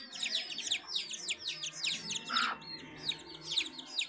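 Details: Domestic hen with her chicks at a house; a crowd of chicks gives rapid, high, downward-sweeping peeps that overlap almost without pause, broken once by a brief lower, louder note midway.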